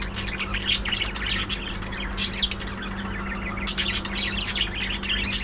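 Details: Budgerigars in a captive breeding colony aviary, many birds calling at once: dense, overlapping chirps, squeaks and warbling chatter that run without pause, over a steady low electrical hum.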